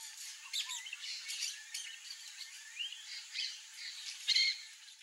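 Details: Wild peach-fronted parakeets giving scratchy squawks and a short upslurred whistle in the middle, ending in a sharp, loud ringing screech, over continuous high background hiss.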